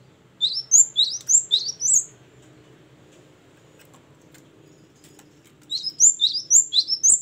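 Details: Great tit singing in loud, open, nonstop ngeplong and gacor style: two bursts of about five high, sharp, rising-falling whistled notes delivered rapidly, separated by roughly four seconds of quiet with faint low background hum.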